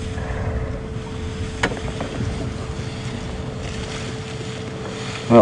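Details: Wind buffeting and vehicle engine rumble with a steady hum, one sharp knock and a loud bump at the end, and no animal calls.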